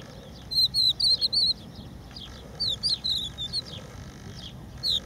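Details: Crested lark on a protected stretch of beach at Empuriabrava, Spain, singing two phrases of quick, sweet whistled notes with rising and falling slurs, then a pause and a single clear note at the end.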